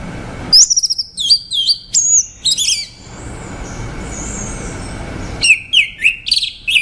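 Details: Orange-headed thrush delivering a sweet, varied phrase of high whistles, some falling and some looping, then a lengthy echoing pause before a quicker run of chirpy notes.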